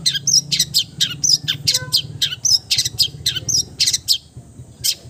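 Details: Long-tailed shrike in full mimicking song, rapid mixed chirps and scratchy bursts crowded closely together. A faint low tonal sound runs underneath near the middle.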